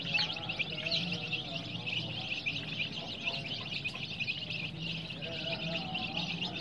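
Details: Colored baby chicks chirp together in a steady, crowded stream of thin, high peeps, with a low background hum beneath the constant chorus.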